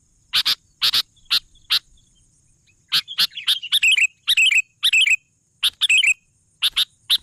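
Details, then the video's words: Energetic sooty-headed bulbul: a few isolated sharp notes, a short pause, then a rapid run of chattering warbled phrases before spaced chips resume. "suara burung kutilang gacor"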